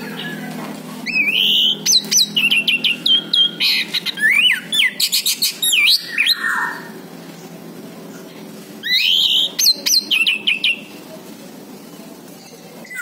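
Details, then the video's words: Lure recording of orange-headed thrush meant to make a silent bird answer: rapid bursts of sharp chirps and rising whistled notes, one run lasting about six seconds, a pause, then a shorter burst. "PANCINGAN ANIS MERAH MACET BUNYI"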